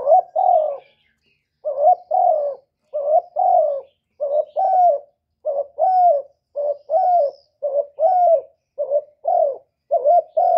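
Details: Spotted dove cooing: a steady run of short, mellow two-part coos, each with a slight rise and fall, repeated about once a second for ten seconds, with no other sounds.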